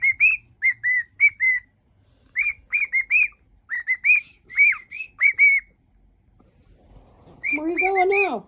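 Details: Cockatiel kept as a pet singing to its owner's feet, mimicking songs: short clear whistles in phrased groups with pauses, ending as a person's voice comes in.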